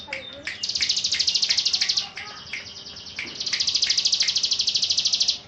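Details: Yorkshire canary in a long rolling song: rapid, evenly pulsed high trills run on for seconds, separated by short sharp chips, over a low background hum.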